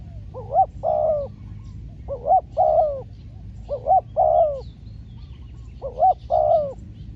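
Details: Decoy spotted dove calling on a trapping outing: four evenly spaced phrases, each a sharp rising double coo and a drawn-out falling croo, roughly every two seconds. Low steady background rumble.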